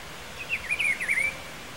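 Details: A Rufous-browed Peppershrike (Cyclarhis gujanensis), a wild bird in Pedro Gomes, Mato Grosso do Sul, Brazil, gives one rich, warbled phrase of rolling whistled notes lasting about a second, over a soft background hiss.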